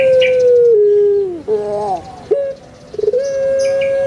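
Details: Kuk gerukkk kwokkk phrase of a home-kept puter pelung (Barbary dove), Java, Indonesia: a sustained low coo that slides lower, rough warbling gurgles, a brief gap, then a bubbling rise into a long steady coo. Light chirping from other birds.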